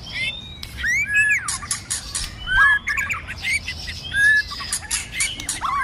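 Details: Multi-voiced fighting song from a White-rumped shama in the cold season: loud arching whistles that rise and fall, mixed with harsh squawky notes and scattered sharp clicks.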